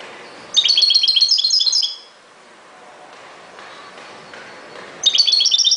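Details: Lively European goldfinch song: a run of rapid, tinkling, slightly buzzy notes about one and a half seconds long, a quiet gap, then another twittering phrase begins.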